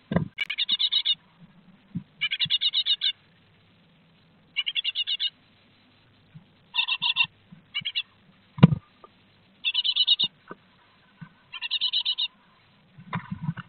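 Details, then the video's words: Great tits at a nest box in Théding on 3 July 2023 as the fourth and fifth young of the second brood fledge; repeated short bursts of rasping, buzzy notes, with soft low knocks and thumps in between. "4ème et 5ème envols"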